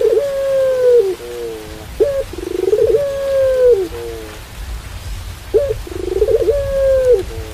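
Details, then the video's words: Pelung-style Barbary dove cooing with rain in the background: a sharp opening note, then a long, steady, drawn-out coo that falls slightly at the end, repeated about every two to three seconds. "Suara Puter Pelung Diiringi Suara Hujan"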